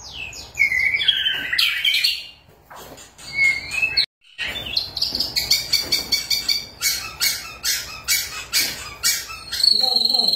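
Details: White-rumped shama song from Indonesia, used as a lure to get silent shamas singing: loud sliding whistled phrases, a brief break, then rapid repeated sharp notes in bursts ending with a high steady whistle.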